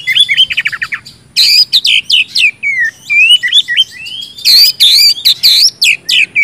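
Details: A kacer (oriental magpie-robin) sings to trigger singing in silent birds: quick stuttering notes at first, then bursts of bright whistles, descending slurs and harsh buzzy accents, all loud and close.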